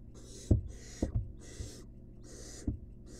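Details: Harsh, breathy begging hisses from a wild barn owl chick fed a rat in a nest box. Five drawn-out rasps, evenly spaced, with a few dull knocks underneath.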